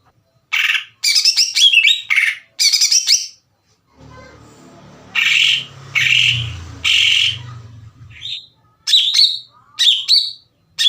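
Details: Greater green leafbird song used as a lure to stir other leafbirds: bursts of loud, sharp high chirps and slurred whistles, broken by a quieter stretch with a low hum beneath a mid section.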